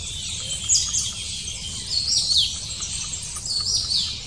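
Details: Thin, sharp, very high notes from long-tailed tits as the parents feed chicks close to fledging, given in short bursts about every second, with a steady high chatter underneath and faint low rumble.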